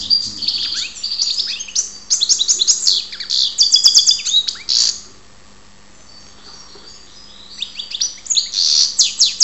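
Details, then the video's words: Goldfinch song recorded in Ptolemaida, Greece: dense, fast twittering with buzzy trills and bright chirps for about five seconds, then near silence, then another twittering burst. "karderina Goldfinch"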